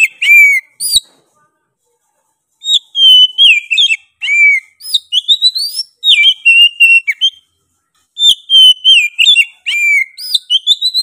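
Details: Persistent, fiery Oriental magpie-robin song, bursts of bright whistles with rising and falling slurs and quick chattering notes, several phrases over eleven seconds broken by brief silences, no other sounds.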